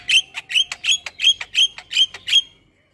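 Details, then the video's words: Starling song used as tutor and lure material to get caged starlings singing: a run of eight harsh, buzzy notes, each with a tonal ring, repeated roughly every quarter second, then fading to quiet. "MAsteran & Pancingan Segala Jenis Burung Jalak Wajib Langsung Buka Suara"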